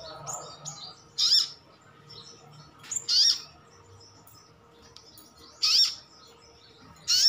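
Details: Brown-throated sunbird, 'ngalas' type, calling to provoke other birds into replying; four loud high chirps at irregular gaps, with fainter twittering notes in between.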